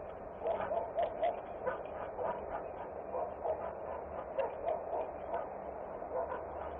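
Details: Peregrine falcons at their nest in Włocławek, Poland, on 30 June: harsh, harmonic calls repeated about four times a second, irregularly spaced, over a constant loud background roar.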